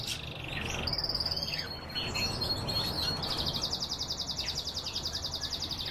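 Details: Kept canaries singing: a brief bright trill, a thin high whistled note, then a long fast rolling trill of rapid repeated pulses that continues to the end, over faint background hum.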